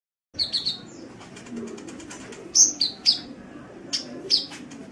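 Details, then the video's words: Sunbird song recorded as a training track for caged songbirds: after a brief silence come sharp high chirps and short trills, with a quick burst near two and a half seconds and a faint low hum underneath. "Suara Burung Kolibri | Gacor"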